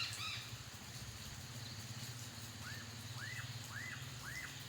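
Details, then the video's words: Black-capped donacobius at Tambopata: four arched, whistled notes, each rising then falling, repeated about every half second, rather distant, over a steady low engine hum. "Tambopata birds: Black-capped Donacobious"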